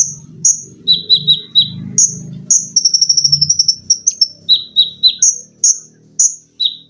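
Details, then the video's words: Konin, the olive-backed sunbird, singing in tembakan rapat, mesin jahit, lengkingan and besetan styles for cage-bird tutoring: shrill chirps, a quick buzzy trill of about ten notes, and short descending notes over a soft hum. "TERAPI KONIN GACOR FULL TEMBAKAN RAPAT!!!MESIN JAHIT,LENGKINGAN DAN BESETAN."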